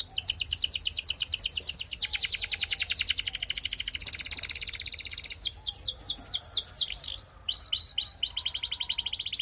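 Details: Belgian canary singing: a long, fast, even trill of high notes, then a run of sharp downward-sweeping whistles and a quick, bright rolling tour at the end.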